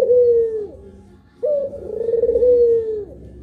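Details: Puter pelung dove, one of two birds, giving a falling tonal coo and then, after a brief quiet gap, a longer quavering coo that levels out and slowly fades.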